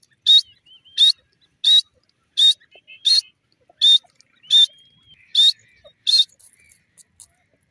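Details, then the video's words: Grey francolin calling: loud, harsh, shrill bursts repeated steadily about every three-quarters of a second, nine in a row, with thin faint whistles in the gaps and an otherwise quiet background. "Grey Francolin Bird Voice"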